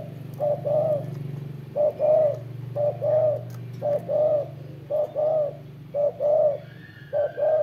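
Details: Repeated cooing of a spotted dove, each phrase a quick soft note followed by a fuller hoot, pausing briefly between phrases, with a low droning hum underneath.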